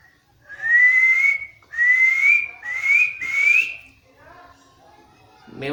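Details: Talking parrot producing four long, slowly rising whistles in a row, each about a second long, followed by a short rough call at the end.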